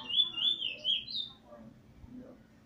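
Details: Very wild plain brown Trini bullfinch (chestnut-bellied seed finch), no spot, on 11 January 2020, giving a weet teeture phrase: a run of loud whistled slurred notes lasting about a second, then quiet room hum.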